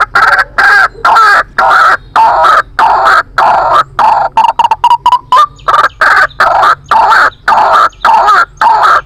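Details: White-breasted waterhen lure call used for trapping: harsh, croaking notes around mid pitch, delivered in rapid, uneven bursts with short gaps, about nine seconds of continuous loud calling.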